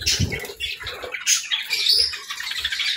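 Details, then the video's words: Budgerigars at morning feeding time, kept indoors, giving busy overlapping chirps and squawky warbles, with soft thumps and fluttering sounds between calls. "Good Morning Birds Chirping | Budgie Feeding Time"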